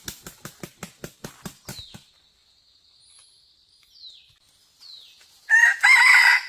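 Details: Red junglefowl crowing during a trapping session with a decoy bird, the loud harsh crow arriving after a run of sharp regular clicks and faint thin whistles from other small birds.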